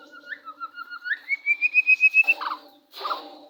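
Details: White-rumped shama singing to provoke a rival shama into answering: a rapid trill of clear whistled notes, nearly four per second, climbing steadily higher, then two brief rough bursts of noise.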